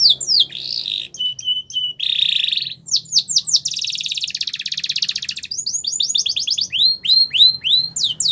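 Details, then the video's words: Canary song for training young birds to sing: varied phrases of downslurred whistles, a buzzy roll, a long rattling trill, then a run of repeated high swept notes. "Your Canary Will Sing A Lot With This Voice"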